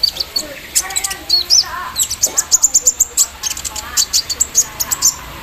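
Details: Morning Javan sunbird song with an embroidery-machine imitation: fast runs of shrill, very high ticking notes and short thin whistles, picking up speed into dense chattering bursts through the second half.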